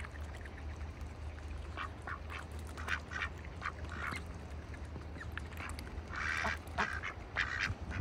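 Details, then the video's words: Wintertime ducks in a bucket on a farm, giving fairly quiet, irregular quacks that grow into a louder, harsher cluster toward the end, over a heavy low rumble. "ducks in a bucket - wintertime"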